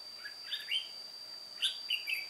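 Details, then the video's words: Singing solo as a decoy while wild birds are trapped, an old white-cheeked red-whiskered bulbul delivers two brisk chirping, whistled phrases, sharp and bright, against a continuous thin electronic whine. "Bẫy chào mào Má trắng Chơi solo mồi già"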